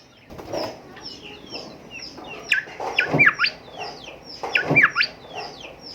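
Golden whistler: full, ringing whistled phrases that swell and end in a sharp, whip-like upward note, repeated roughly every two seconds over faint high chirps from other birds.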